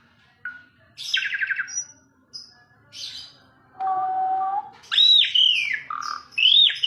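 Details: Asian pied starling mixing a rattling trill, thin high whistles, a steady low whistled tone and loud falling and rising slurs.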